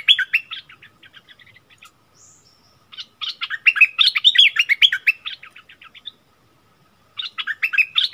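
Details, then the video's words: Singing duel between a bulbul and a wild bird on 27 March 2021, both refusing to back down; quick chirping phrases in uneven bursts separated by gaps of a second or so, with a brief thin whistle between them. "เสียงต่อนกดอกแตงEp.39 เปิดดอกดวลเดือดกับนกป่า Burung merbah lekir"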